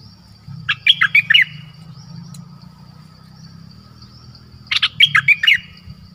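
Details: Caged nok dok taeng used as a decoy, calling a mate in the forest on 13 January 2021. Two short, bright phrases of about five rapid whistled notes come about four seconds apart over a low, steady rumble.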